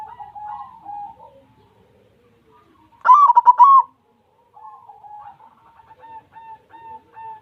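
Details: Persistent singing from a white zebra dove: soft wavering notes, then a sudden loud stuttered coo phrase in the middle, followed by quiet repeated short notes.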